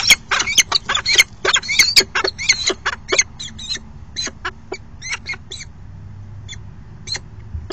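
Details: Peregrine falcon male bringing food to the nest box and calling the female, August 22 2018: fast series of loud, sharp, grating chips that slow and fade over eight seconds.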